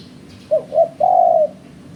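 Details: Spotted dove call used as a lure for bird trapping: two short, soft hooting notes followed by a longer, steady, low drawn-out coo, over a faint low background hum.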